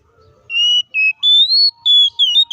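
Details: White-rumped shama in combative song to excite other shamas: a series of long, pure whistles, each steady or slowly rising, separated by short gaps, with a faint steady tone behind.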